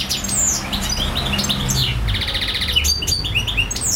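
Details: European goldfinch in a long non-stop singing session: rapid high twitters and liquid chirps, a short buzzy rattling trill midway, then more bright rising and falling notes, low hum in the background.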